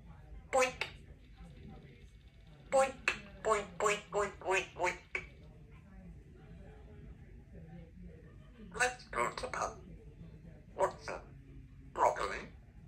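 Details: Two-year-old female Congo African grey parrot kept as a pet in a country home, chattering in bursts of short repeated syllables with pauses between groups, indoors amid faint background hum.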